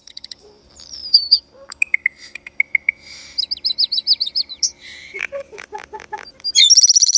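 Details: A bird producing a medley of strange sounds: sliding whistles, steady short pips, rapid chattering notes, hollow clicks and a final high buzzy trill.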